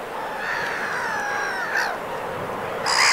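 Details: Black-headed gull in winter plumage at the Vilaine estuary, Morbihan, France, 22 February: one long, drawn, slightly falling nasal cry, followed by shorter sharp calls from other birds.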